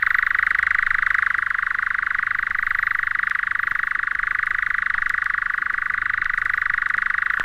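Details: At dusk in June in British woodland, a European nightjar, a scarce summer visitor, churrs: an unbroken, dry, mechanical trill of up to 1900 notes a minute, steady in pitch with slight rising and falling, with nothing else heard.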